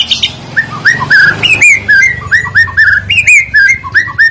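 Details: White-rumped shama singing as a lure to prompt other birds: rich whistled notes, some with a quick upward flick, grouped in short repeated phrases about every half second, with faint background hum.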